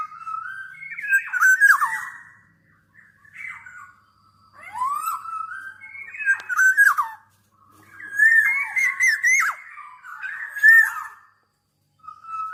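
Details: Black-naped oriole singing repeated fluty, liquid whistled phrases. Each phrase has rising and falling slurs, and the phrases come in four bursts separated by short silences.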